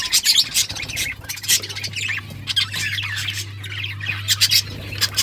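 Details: A group of budgerigars keeps up continuous shrill chirps and harsher squawky notes in quick succession, with loud peaks near the start and end over a faint steady hum.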